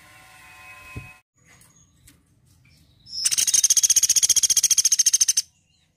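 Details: Woodpecker in a songbird tutor recording: faint background chirps and a soft thump, then a loud, high, rapid rattle of even pulses lasting over two seconds and cutting off cleanly.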